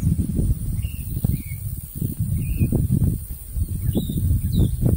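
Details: A shrike vocalizing on its own, not directed at any other bird: five short, thin whistled slurs, some rising and some falling, spaced irregularly under heavy low rumbling and thumping noise.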